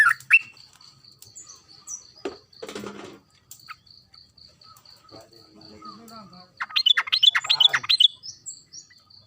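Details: Yellow-vented bulbul in vigorous, excited song used as a lure; after scattered notes, a quick bubbly burst of rising and falling phrases sounds late on over a steady pulsing insect trill.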